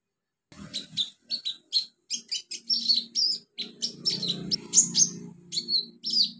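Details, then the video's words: In natural wild habitat, an olive-backed sunbird delivers a steady string of high, clipped chirps and short sweeping whistles, closely spaced and lively, over a soft low droning background. "KICAU KONIN ALAM LIAR HABITAT ASLINYA"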